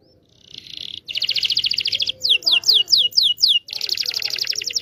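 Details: Canary singing a long rolling song used to train young canaries: dense buzzy trills around high pitch, then a run of about six loud downward-sweeping whistled notes, then back into fast rattling trills.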